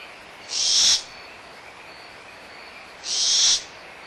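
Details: Excited barn owl owlets fighting over leftover food, mother nearby, at Audubon Starr Ranch Sanctuary on 17 April 2011; a pair of rasping, breathy screeches about two and a half seconds apart, with frogs calling steadily behind.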